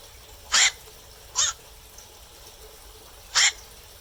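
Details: Harsh croaking of a black-crowned night heron at night: three rough kwak notes, the second softer and shorter, the third after a two-second pause.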